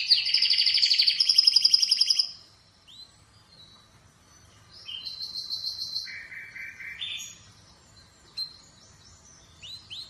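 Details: Atlantic canary singing: a loud, fast rolling trill for two seconds, then softer varied phrases of high whistles, a buzzy tour and short rising notes, with a faint low hum beneath.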